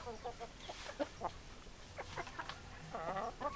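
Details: Hens clucking: short stacked clucks in scattered bursts, a drawn-out wavering cackle near the end, quiet pauses between groups of calls.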